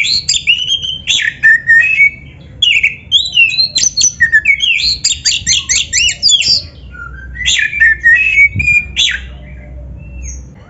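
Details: Oriental magpie-robin (kacer) delivering a long, busy song for a masteran recording aimed at birds that rarely sing: rapid series of clear, slurred whistles swooping down and up, with short crisp chips, nearly continuous for ten seconds.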